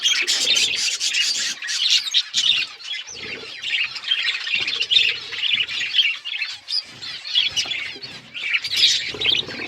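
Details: Budgies in a group giving harsh, scratchy squawks mixed with quick chirps, the overlapping calls forming a steady, noisy chatter with short pulsing surges and only momentary lulls.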